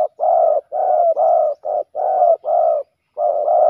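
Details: Spotted dove males in a fight at a ground decoy: loud, close, husky coos running almost continuously, long notes separated by brief gaps, one short clipped note mid-series.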